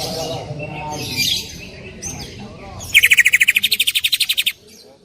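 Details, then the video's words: Greater green leafbird singing loudly in full 'tembakan' bursts, a training recording: mixed indistinct sounds at first, then a rapid burst of about twenty sharp, evenly repeated notes lasting roughly one and a half seconds, ending abruptly. "cucak ijo gacor full tembakan suara keras"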